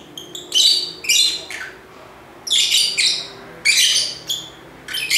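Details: Lovebirds chattering in loud, harsh bursts of high squeaky chirps, each burst lasting about half a second and coming roughly once a second, over a steady background hiss.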